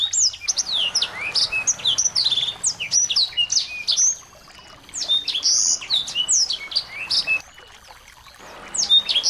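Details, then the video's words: Lure recording of small birds meant to excite a white-rumped shama into song: long stretches of dense, high, rapid chirps and buzzy trills, broken by two short silences. "masteran burung kecil"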